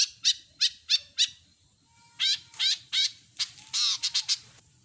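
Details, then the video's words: Long-tailed shrike gives four quick harsh chattering notes, then a burst of raspy scratchy phrases and a warbling buzzy note, over a faint low rumble. "Masteran burung CENDET gacor isian lengkap"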